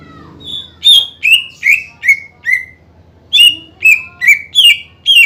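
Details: Greater green leafbird singing to provoke rivals: two runs of loud whistled notes, each note sharply attacked and sliding down, about two per second with a short silence between runs.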